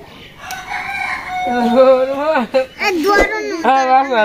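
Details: A talking pet parakeet (tia pakhi) at a bird market in Mirpur, Dhaka, Bangladesh speaks in a nasal, wavering, voice-like string of syllables with rising and falling pitch, amid faint human voices.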